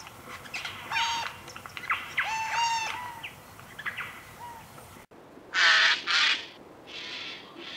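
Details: Eurasian jay uttering a run of nasal, rasping squawks in short bursts, then two loud, harsh broadband screeches close together after an abrupt break, with a fainter rasp at the end.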